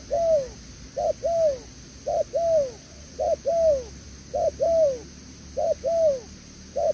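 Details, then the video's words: Newly caught wild spotted dove cooing 'đèo lò xo' in a long steady series of couplets, brief note then falling coo, about one per second, with a faint electrical whine throughout. "Thổ Tở Đèo Lò xo | Âm quá tốt"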